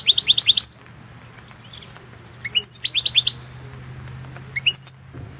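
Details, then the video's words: Balkan European goldfinch recorded for the 2016 internet World Championship in Goldfinch Song: quick series of high tinkling upslurred notes, a gap, a second run of chirps, then a brief closing twitter. "Pesma štiglića"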